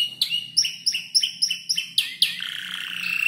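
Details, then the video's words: Canary of about five months in the stage of building its song from heard tutor birds; crisp paired high chirps repeated steadily, then a long buzzy falling whistle, with low background hum. "Kicau burung kenari gacor noto lagu U 5 bulan"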